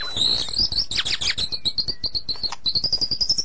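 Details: White-rumped shama, described as sulking, in therapy song: a fast, steady train of sharp high chirps, about three each second, with a few lower scratchy notes early on.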